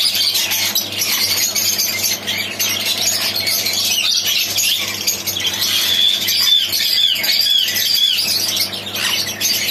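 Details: Pet rose-ringed parakeets, blue pallid and blue lacewing ringneck mutations, keep up a dense, harsh chatter of high squawks and brief whistles, with occasional wing flutters and a faint electrical hum beneath.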